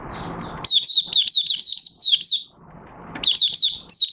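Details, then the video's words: Caged oriental white-eye singing with its cover opened, recorded 25 August 2022 after three months of training: rapid high whistled notes sliding down and up, in two bursts of chirpy phrases with a short pause between, over soft background rumble. "Mata Puteh Raja Buka Sing"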